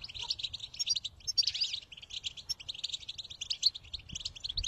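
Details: Song of a European goldfinch, used to motivate another goldfinch to sing: fast liquid twitter of chirps and buzzy trills running without pause, light low background rumble.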